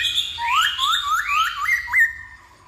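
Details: Masked laughingthrush pancingan lure song: four loud upslurred whistles climbing step by step, the last sharply rising, then a fading held note; quiet background.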